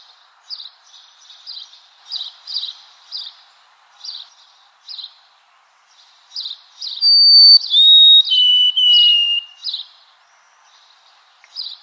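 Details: White-throated sparrow singing: a series of short, sharp chip notes repeated about every half second, then a clear whistled phrase of long pure notes stepping downward, before the chips resume.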